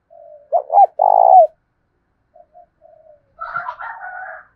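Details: Spotted dove of the 'giọng thổ' style, calling to provoke wild doves and decoys: a faint coo, then a loud phrase of two short notes and a long throbbing coo, followed by soft coos and a brief burst of harsher mixed sound.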